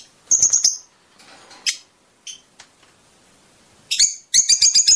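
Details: Fischer's lovebird giving mating-stimulation song: brief clusters of quick high twittering notes, scattered softer chirps, and a fast run of repeated sharp notes at the end.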